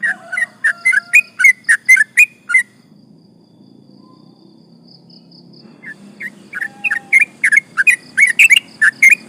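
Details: Sooty-headed bulbul in rapid gacor 'ropel panjang' song used to agitate rival birds: dense burst of short whistled notes, then a quiet gap of several seconds, then another fast run.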